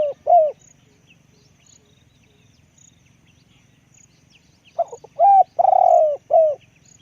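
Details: Spotted dove kept as a decoy bird, cooing deeply and hoarsely: two short low coos, a pause of about four seconds, then a quick run of coos. The run ends in one long drawn-out coo and a final short note. Faint high ticks sound behind.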